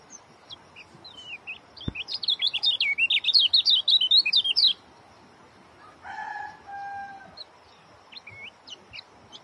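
An Oriental white-eye pours out a fast, dense burst of high, thin twittering notes for about two seconds; a rooster crows briefly afterward.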